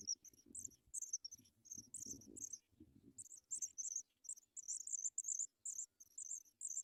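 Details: Paddyfield pipit young at the nest, being fed: high, thin squealing notes in quick clustered bursts, first mixed with rustling and movement, then a steady string of piercing cheeps.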